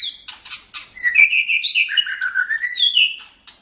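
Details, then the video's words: Kept white-rumped shama, a tutor bird, pouring out a continuous warbled phrase of bright high whistles after a few rasping notes. "MASTERAN GACOR - Suara Burung Murai Batu"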